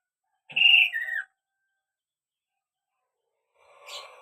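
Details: Kaso-kaso bird song, described as lively and good for prompting other birds to answer: a clear whistled phrase with a high steady note dropping into a lower slurred note, then silence and a brief buzzy burst at the end.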